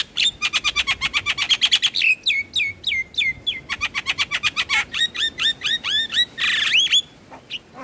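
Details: Javan myna song played morning and evening to get stressed birds singing: a fast stream of sharp clicks, then repeated downslurred whistles and a brief harsh rasp before fading.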